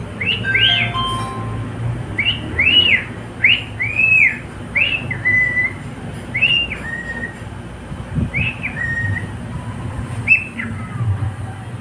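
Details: Male pet cockatiel singing with a companion: a string of arched, swooping whistles, some followed by a lower flat note, repeated roughly every second, then sparser notes toward the end, over faint hum.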